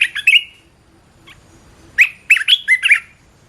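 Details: Short excerpt of red-whiskered bulbul song: one quick warbled phrase, a pause with a single soft note, then a brisk run of five loud, lilting whistles rising and dipping.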